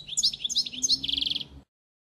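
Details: European goldfinch model song used for training young birds: a rapid run of bright twittering notes between 2 and 10k, ending in a quick buzzy trill of evenly repeated notes, then silence.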